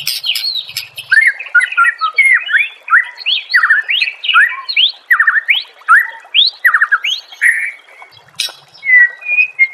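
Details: White-rumped shama, master recording for training songbirds: rapid continuous song of repeated rising whistled notes and chattering phrases, ending with a few clear long whistles.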